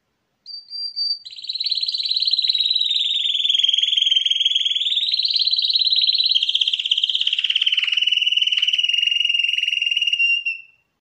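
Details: A 2021 champion canary sings: two short whistled notes, then a long unbroken rolling trill that wavers up and down in pitch for about nine seconds before ending.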